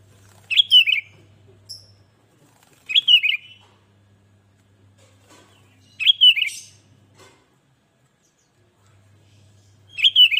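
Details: Lively sooty-headed bulbul song meant to get other bulbuls singing, with brief chortling phrases spaced about three seconds apart and a faint low hum in the pauses.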